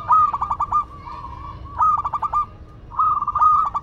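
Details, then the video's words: Local Madura zebra dove singing: several short phrases of rapid stuttering coos around a steady mid pitch, each a quick pulsed trill ending in a held note, with fainter cooing from other doves behind. "Perkutut Lokal Madura Gacor"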